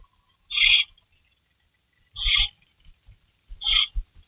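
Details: Night rabbit delivery to barn owls, 3:53 AM, May 16, 2012; three coarse, hissing screeches, each about a third of a second, separated by pauses of one to one and a half seconds, with shuffling and thumping noises.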